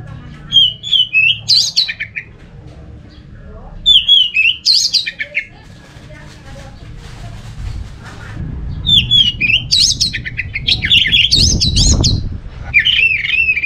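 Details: Orange-headed thrush in Singaraja, North Bali, song meant to stir other thrushes into singing: repeated varied phrases of whistled, slurred and rising notes every few seconds, with a brief rustle and low noise near the end.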